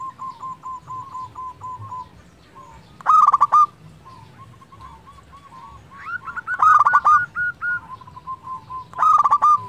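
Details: Local zebra dove in full song, used to coax quiet doves into singing: soft rapid cooing pulses run under three loud, trilled, rattling coo phrases at roughly three-second gaps, with faint high chirps in the background.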